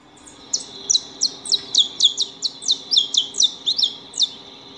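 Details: Saffron finches (Sicalis flaveola) feeding at a house give a quick run of sharp, high chirps, about three or four each second, with a faint low hum underneath.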